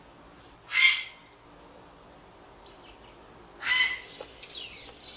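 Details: Grey heron, Ardea cinerea, giving two harsh, broad-band squawks about three seconds apart, each short and loud, with faint high twittering of other birds between them.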